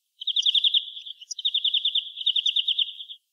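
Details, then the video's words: European greenfinch singing: fast, ringing trills of bright, high notes, a short trill followed after a brief pause by a longer steady run of rapid repeated notes, with faint higher twitters over a clean, quiet background. "Как поёт зеленушка обыкновенная (Аудио) / Песня обыкновенной зеленушки"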